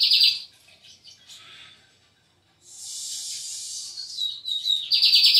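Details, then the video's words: Lined seedeater from João Pessoa: short bursts of buzzy high trilled song at the start and end, separated by a pause and a hissing stretch with faint thin notes. "BIGODINHO PARDO DE JOÃO ESSE TEM CANTO!"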